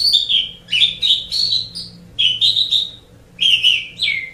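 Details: Asian pied starling song for training pet birds: clustered squeaky whistles and chattering notes, with a downward-slurred whistle ending the last phrase.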